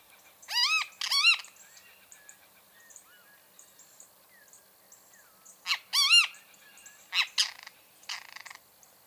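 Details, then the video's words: Great kiskadee singing loud, harsh, arched notes with strong overtones: a pair near the start, another pair around six seconds, then scratchier bursts toward the end. Faint high chips from other birds fill the quiet gaps. "O CANTO DO BEM-TE-VI (Pitangus sulphuratus)"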